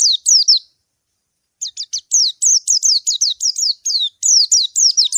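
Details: Rival-calling white-eye in a loud, busy burst: three quick descending chirps, a short pause, then a long rapid series of high downslurred notes, some doubled.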